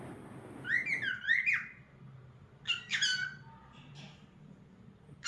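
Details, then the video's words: Cockatiel singing: a wavering warbled phrase of up-and-down whistled notes, then a pair of harsher chirps a second later, faint against low background hum. "Adorable Cockatiel Cute Bird 🕊️ Nice Singing Movements"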